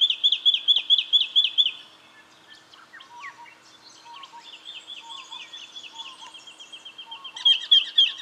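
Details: Brown treecreeper, Victoria, Australia, October 2011: fast bursts of sharp, high repeated notes open and close the recording, with softer mixed chirps from other birds in between.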